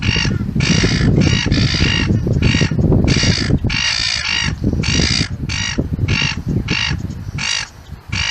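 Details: Gull giving a fast, irregular string of about fourteen loud, harsh squawks in eight seconds, some run close together, over heavy low rumbling noise.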